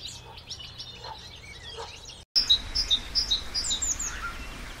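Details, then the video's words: Eurasian blue tit in Maine-et-Loire, France, giving thin, very high notes in quick pairs, about two or three per second, after softer distant chirps. "Mésange bleue"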